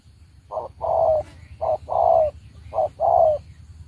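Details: Decoy spotted dove used in trapping calls three times in quick succession, each a brief clipped note then a drawn-out, gently descending coo, against low continuous background hum.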